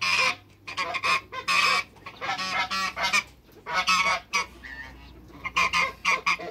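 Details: Two male and one female African geese in a backyard, calling in loud, harsh honks in quick irregular bursts, with several overlapping blasts and short pauses between them; a faint steady hum sits underneath.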